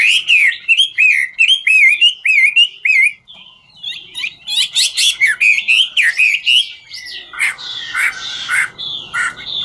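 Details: Chinese hwamei, ngũ trường style, singing while dancing; a fast string of repeated rising whistles, then varied buzzy and whistled phrases, ending with a noisy rustling sound behind the song.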